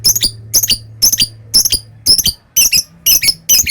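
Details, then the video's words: Lovebird in its long ngekek chatter, a kept bird: very high, sharp chittering notes in quick clusters, about two bursts a second, with a faint low hum underneath. "Suara Love bird Bikin Emosi Lawan ngetik lanjut ngekek"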